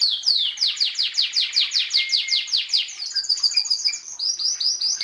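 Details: Canary singing for a masteran recording. A row of clear downward-slurred whistles gives way to rapid high trills and brief steady notes.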